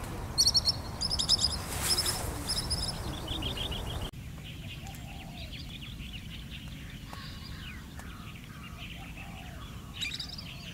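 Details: Pied kingfisher on Kinmen calling with high, shrill, rapid chattering notes during the first few seconds, then mostly quiet, low background with faint distant sounds and one last brief burst near the end.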